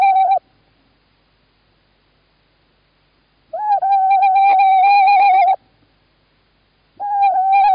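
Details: Male tawny owl calling in Estonia on 11 March 2017 while the female sits in a nest box: a steady, slightly quavering hooted tone, a short end of one note, then a two-second drawn-out wavering hoot, and another starting.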